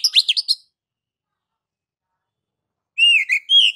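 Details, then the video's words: Oriental magpie-robin ngeplong-style master song for prompting birds to sing: a brief burst of sharp twittering whistles, a long silent gap, then a few clear slurred whistles. "MASTER DASAR KACER NGEPLONG MEMANCING KACER AGAR CEPAT BUNYI GACOR Birds Song Kacer"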